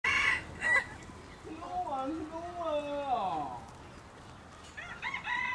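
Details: Red junglefowl hen calling: a drawn-out, wavering, nasal call with rich harmonics rising and falling over about two seconds, framed by short sharp clucking notes at the start and end.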